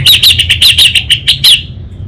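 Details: Orange-headed thrush kept in North Bali, Singaraja, chattering in the 'kabel konslet' song style: a fast run of about ten sharp, warbling high notes, evenly spaced and loud, ending abruptly.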